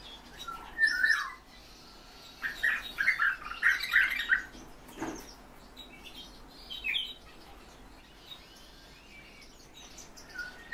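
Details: Kept European bee-eaters utter a burst of rapid rolling trilled notes, then quieter scattered calls, with a single dull knock in between.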